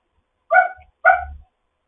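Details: Two short, bark-like harmonic calls about half a second apart from a foster African grey parrot chatting in the morning, with a faint low hum underneath.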